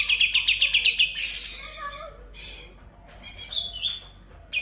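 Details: Sooty-headed bulbul in continuous ngebren song, filled with konin, kapas tembak and kunti imitations: a rapid series of seven high, even chirps, then a harsh rasping burst, softer warbling and scattered sharp notes.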